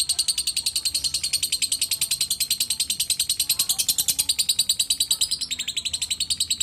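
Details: Lovebird giving a fast, steady series of shrill, high-pitched chirps, roughly three per second, continuing unbroken throughout with only faint low background noise.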